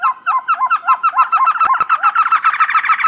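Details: Trogon calling in a rapid, steady series of short hoarse notes, about three and a half per second, each bending up then down, growing denser toward the end with a faint high hiss behind.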